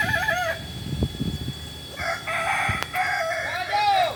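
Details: Kokok Balenggek chickens at a joint training session, Ampang Kualo, Solok, West Sumatra: a short crow, a patch of thuds and handling noise, then stepped crow phrases and a final arched note.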